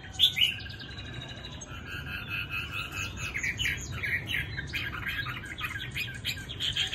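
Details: Tame Chinese hwamei singing against a hissy background, with a jumble of warbled, slurred phrases and sharp chirps running almost continuously, some notes louder and clearer than others.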